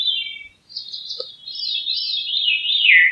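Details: Veery song: a wavering, reedy phrase that rolls up and down, then slides steadily lower toward the end.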